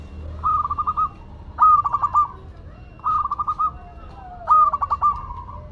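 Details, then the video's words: Energetic song of a local Madura zebra dove: four pulsed cooing phrases about a second apart, each a smooth note chopped into five or six quick beats, two louder than the others. "Perkutut Lokal Madura Gacor"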